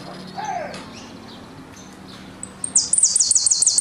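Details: Argentine goldfinch singing in the "golpe y pitadas" style. After a quiet stretch it ends with a very high, rapid, buzzy trill of evenly repeated notes lasting about a second.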